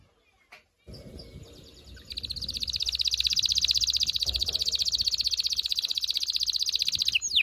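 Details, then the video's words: Canary song to prepare a female for mating: after a few faint notes, a long, loud, very fast buzzy trill holds steady for over five seconds. "غناء طائر الكناري لتحفيز و تحضير الاناث و الذكور للتزاوج و تغريد المستمر"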